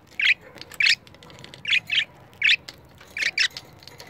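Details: Two pet budgies facing a disliked camera give brisk, grating squawks, some single and some in quick pairs, about seven bursts in four seconds.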